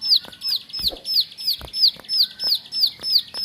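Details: Bar-winged prinia kept at home, sounding about seven bright, high falling notes in three and a half seconds, evenly paced, with a couple of dull thumps underneath.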